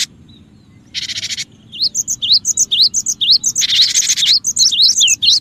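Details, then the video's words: Cinereous tit, used as a lure for other birds and for prompting quiet tits to sing: rapid repeated high upslurred whistled notes, about two per second, broken by two harsh buzzy churring bursts. "suara pikat Burung gelatik batu gacor dan cocok juga buat pancingan gelatik batu yg susah bunyi"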